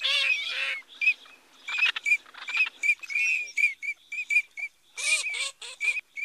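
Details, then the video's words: Eurasian teal (common teal, Anas crecca) giving short, high, ringing whistled notes, about one or two a second, from what sounds like several birds calling together, with some rougher nasal notes. "صوت الحذف الشتوي،،،Anas crecca,,, common teel,,,, sound"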